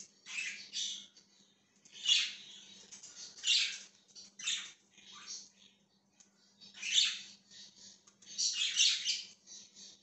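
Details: Budgerigar recorded January 20, 2023, delivering loud grating chirps and squawks in irregular bursts, quieter twittering between them, with a faint continuous hum.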